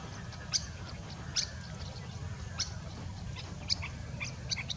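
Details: Sirkeer malkoha at Avalahalli, Bengaluru, in November 2022, giving sharp, high, clicking chirps, about six in five seconds at an uneven pace, over a steady low rumble of background noise.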